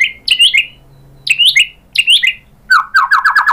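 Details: White-rumped shama song used as a lure to provoke other birds to sing: loud clear phrases of sweeping whistled notes repeated about every second, ending in a rapid run of short rising-falling notes.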